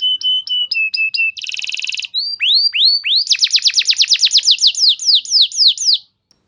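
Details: Canary lure song for training: a few short flat whistled notes, a dense buzzy rattle, deep sweeping notes, then a fast trill that gradually slows before stopping.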